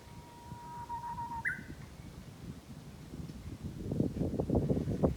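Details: Japanese bush warbler singing nearby in spring along a rural mountain path: a long steady whistled note, then a quick higher rising flourish, followed by heavy crunching footsteps.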